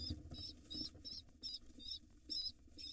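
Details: Hungry wild rock pigeon nestlings being fed by their father give quick repeated high wavering squeaks, roughly three each second, with soft scuffling and low thumps beneath.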